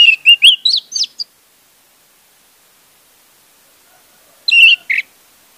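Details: Orange-headed thrush lure to restart a silent singer: a quick string of rising whistled notes, a long gap, then a short warble ending in a buzzy note.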